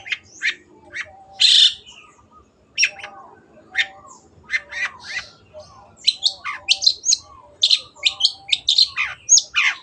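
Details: Long-tailed shrike (cendet) singing, used as masteran audio for kept birds: varied squawky notes, short whistles and harsh bursts with pauses, becoming a fast run of chattering and mimicked-sounding phrases toward the end; soft low background notes.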